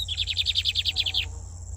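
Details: Lined seedeater, a brown-plumaged bird singing a lot, delivers a fast trill of about a dozen repeated buzzy notes, evenly spaced and steady in pitch, over a low steady hum.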